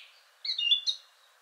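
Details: Short phrase from a male Song Thrush with a rich song partly resembling a nightingale: a brief cluster of bright, high whistled notes lasting under a second, then quiet.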